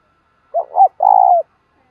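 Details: Spotted dove used as a lure bird, its decoy cooing meant to draw wild doves: two soft rising hoots followed by one sustained, slightly tremulous low coo ending with a dip, nothing else audible.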